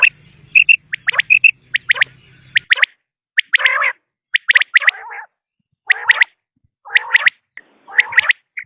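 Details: Common quail calls used as a hunting lure: a string of sharp, high three-note bursts and some harsher raspy notes, with a low hum that fades out after a few seconds.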